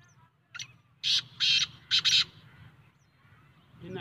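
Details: Black francolin calling: a harsh, grating phrase of a short note and then loud rasping bursts, the last two run close together, over a low background hum.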